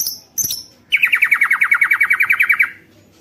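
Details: White-rumped shama song meant to goad other shamas into singing: two high sharp notes, then a fast even rattle-like trill of about twenty repeated notes lasting nearly two seconds.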